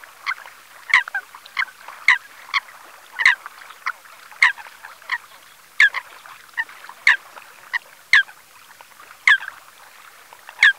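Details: Eurasian coot calling at Ses salines de Mongofre, Menorca, on 6 February 2020 at 9:00; short, sharp, explosive notes repeated irregularly, roughly every second, with fainter answering calls in the background.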